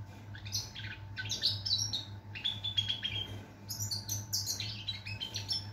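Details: European goldfinch song recorded 22 September 2023: a jumble of twittering, buzzy and liquid notes in quick bursts, over a steady low hum and a faint constant tone.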